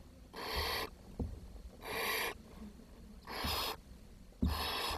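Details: Barn owl young at the nest, 10 June 2023, a brood short of food whose smallest chick died and was fed to the others. Four rasping, snore-like hisses, each about half a second long, come roughly every one and a half seconds, with a few knocks between them.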